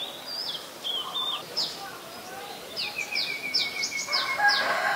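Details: Ubon Ratchathani, Thailand, 8 March 2022: a white-vented myna gives thin high whistles and squeaky downslurred notes, followed by a burst of harsh chatter in the last second.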